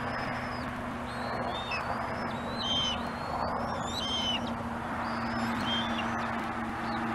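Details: Bald eagle at a nest on Gabriola Island, watched by webcam, mantling and keeping its prey while a younger eagle waits its turn to steal. Thin, high, whistled notes slur downward in scattered bursts over a steady hiss and a low hum.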